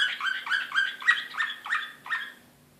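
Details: Excited Serbian Slavujar canary from Belgrade, 2016, singing a run of six rapid downward-swept chirps in about two seconds, each note bright and ringing, then falling silent, with a faint steady low hum underneath.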